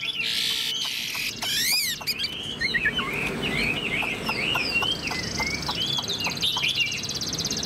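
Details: A caged yellow-billed Chinese hwamei sings from its perch with tail fanned, giving a fast, varied run of loud, bright whistles, slurred up and down in quick succession; a buzzy, rasping noise opens the recording.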